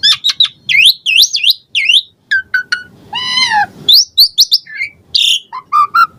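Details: Asian pied starling singing energetically with varied fill-in phrases, used to coax caged birds into song; looping upslurred whistles and clicks, a drawn-out nasal, harmonic wail midway, then mixed chirps over faint background hum.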